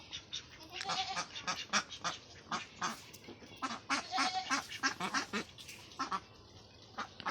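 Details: Farm ducks give a steady stream of raspy quacks, several birds overlapping at about three calls per second, against a low background hiss.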